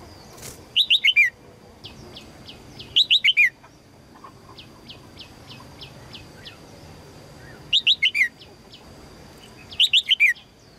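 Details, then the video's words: Female red-whiskered bulbul calling for a strong male: rapid bursts of four or five sharp descending whistled notes every two to three seconds, with soft ticking notes between bursts and low background noise. "นกหัวจุก birds - นกตัวเมียร้องเจี๊ยก ๆ เพื่อเรียกนกตัวผู้ที่แข็งแรง"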